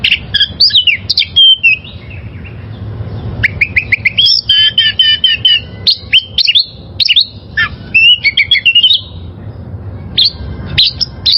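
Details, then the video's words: Wild oriental magpie-robin singing a rich, varied song of sharp whistled phrases and quick chirps, rising and falling notes in short bursts separated by brief pauses, over a faint low hum. "Masteran Suara Burung Kacer Liyar...!!!"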